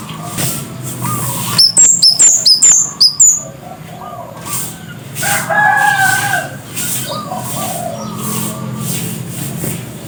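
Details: Scarlet-headed flowerpecker singing: one rapid burst of about five sharp, very high, descending notes, followed by quieter lower whistles and a steady background hum.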